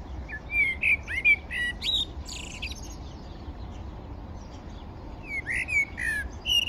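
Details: Common blackbird at breakfast beside the Manzanares river, Madrid, on 17 February 2023. Two clusters of varied whistled and slurred notes mixed with high thin squeaks are split by a quiet gap, over a steady low ambient hum.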